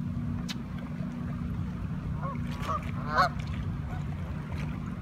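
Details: Canada geese gathered in a flock in Toronto, Ontario, Canada: a burst of three or four honks in quick succession toward the end, the final one loudest, over a steady low drone.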